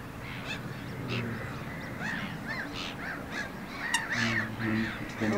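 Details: Two Eurasian coot adults feeding their chicks; a string of short arched calls, roughly two per second and uneven in spacing, with one sharp click and steady background hum.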